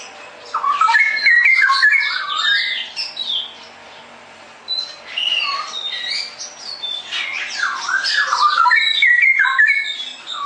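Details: Cucak rowo, the straw-headed bulbul, in energetic ngerople song: bursts of loud, liquid, gurgling whistles tumbling up and down, separated by a short pause, then another rich warbling run.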